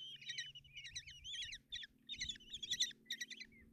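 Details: Common kestrel chicks in a nest box at Tiszalök, Hungary, on 30 June 2024, as their mother brings breakfast and feeds them: dense bursts of shrill, trilled chittering notes, rapidly repeated with short gaps, over a faint low hum.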